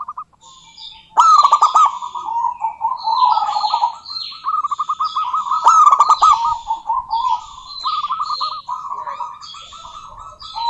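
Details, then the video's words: Local zebra dove female summoning a rival, giving repeated stuttering trilled coos in long phrases, punctuated by two sharp rattling bursts, with scattered high twittering notes throughout. "Suara Burung Perkutut Lokal betina gacor memanggil lawan"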